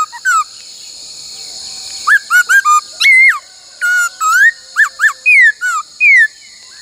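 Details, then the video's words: Many-voiced laughingthrush song during training, 'bắt cô trói cột' style: a single whistle, then a lively run of arched, rising and sliding whistled notes ending in two long downward slurs, with a steady background hiss. "Luyện khướu hót bắt cô trói cột , luyện hót nhiều giọng cực hay"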